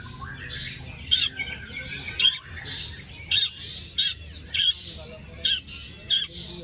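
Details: White-rumped shama recorded to stir a bird that stopped singing after moult: short sharp high notes repeated roughly every half second over a steady hiss, with faint grating noise behind.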